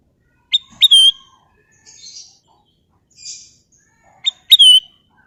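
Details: Golden bulbul song in two bursts: each is a short clear whistled phrase of two or three bright rising-and-falling notes, the first near the start and the second after a pause of about four seconds, with faint rustling between.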